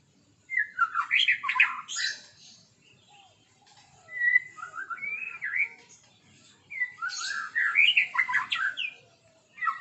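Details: Morning song of a white-rumped shama, delivered in three separate phrases of warbled, slurred whistles and quick chattering notes, with short pauses between phrases.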